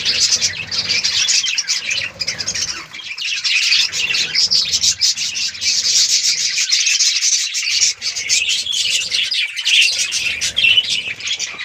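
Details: Many colourful budgies in a breeding colony chatter together: high, rasping twitters and squawks layered continuously, with a few short dips.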